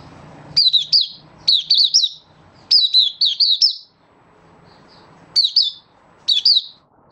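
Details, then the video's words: Malaysian white-eye, kept as a song bird, singing in stable, warm, sunny Singapore weather in March 2023: bursts of high, thin, down-slurred chirps, three or four notes per burst, with short pauses between groups. "Malaysian Mata Puteh Happy Buka Sing"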